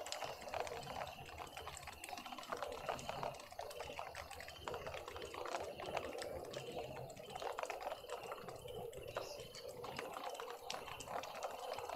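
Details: Dense clicking and tapping noise, like typing or trickling water, with no clear animal calls.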